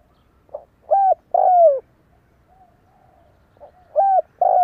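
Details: Decoy spotted dove in Vietnam calling to lure wild doves, giving two phrases about three seconds apart, each a short soft note, a flat coo and a long falling coo, the second cut off.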